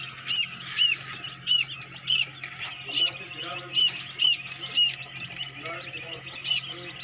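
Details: Newly hatching quail chicks in a homemade egg incubator give loud, high, clear peeps, each a short rising-then-falling note, about eleven in seven seconds at an uneven pace, over a steady low machine hum.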